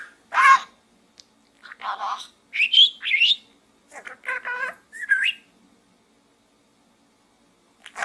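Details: Budgie talking inside a small gourd, giving a series of squeaky chirps, gravelly word-like bursts and a rising whistle. The sounds come about every half second, then fall silent.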